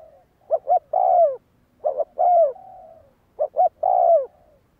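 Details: Spotted dove kept for decoy training, calling three times in under five seconds; each phrase has two short clipped notes and a drawn-out descending coo, softer trailing hoots in between.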